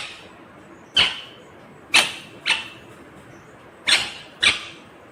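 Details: Green ringneck parrot gives five harsh, high, noisy screeches at irregular intervals of about half a second to a second, each sharp at the start and then fading.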